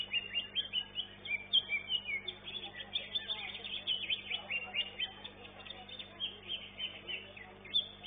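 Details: Caged greater green leafbird competing in an elite-class singing contest, finishing second; continuous high, sharp chirping notes about three to four per second, with a murmur of voices and other birds in the background.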